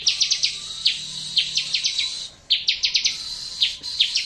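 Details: Bar-winged prinia (ciblek) song meant to set silent birds singing again: sharp high notes delivered singly and in quick runs of three to four, with a brief pause midway and a faint hiss throughout.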